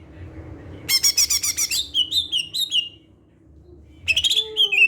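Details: Greater green leafbird lure song: a fast, buzzy trill runs into a string of slurred whistles, then a pause and another quick trill with whistled notes.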